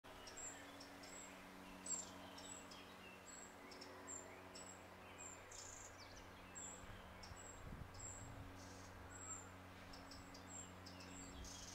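Young Eurasian wren gives very high, thin squeaks, repeated quickly about twice a second throughout, over a steady low hum.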